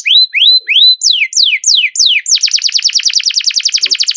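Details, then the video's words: Canary song with a long roll: three rising whistled notes, then sweeping downslurs, then a fast buzzy trill repeated many times per second. "BURUNG KENARI GACOR NGEROL PANJANG JITU"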